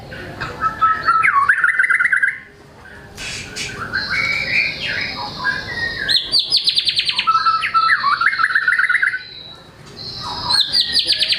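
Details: Energetic white-rumped shama pouring out its full repertoire of learned phrases, meant to trigger reluctant shamas to sing: clear whistles, sweeping slurred notes and rapid high buzzy trills in bursts, broken by brief pauses.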